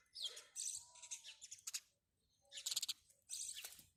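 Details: Three quick bursts of rapid, high, twittering chirps from house sparrows, separated by short pauses.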